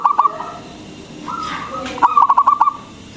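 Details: Local zebra dove singing loudly, meant to stimulate quiet doves to call; a brief rolling coo, a level sustained tone, then a quick string of six or seven clipped, bubbling coo notes.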